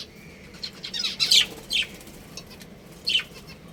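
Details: A home breeding pair of pet budgerigars making a few sharp, raspy chirps and short chattering bursts separated by pauses, over a soft background hum.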